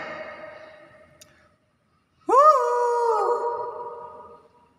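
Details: Hill myna, said to be able to say anything, gives one loud tonal utterance: a quick upward sweep into a long, steady, clear note lasting about two seconds and fading out, after quieter music and a person's voice.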